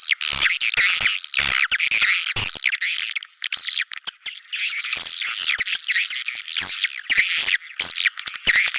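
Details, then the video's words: Swiftlet calls: bursts of shrill, squawky twittering, with runs of rapid chirps separated by short gaps and a few sharp clicks. "SUARA BURUNG WALET"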